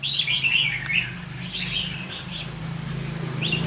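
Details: Red-whiskered bulbul lure bird in a cage delivers quick chattering, warbling phrases that fade midway, then resume briefly. A steady low hum persists throughout.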